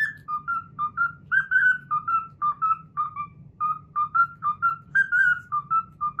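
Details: Cockatiel kept as a pet, performing its learned Pythagora Switch theme: rapid, evenly paced whistled notes, each short and slightly falling, repeating the melody's up-and-down phrases against a quiet low hum.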